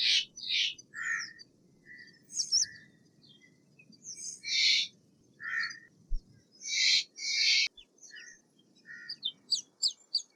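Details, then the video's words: Steller's jay giving a varied sequence of harsh, breathy high calls and shorter lower notes in irregular bursts, some paired, over a quiet low hum. "Steller's jay Sound - Stellar's Jay Singing - Stellar Jay Scream - Stellar Jay Mating Call"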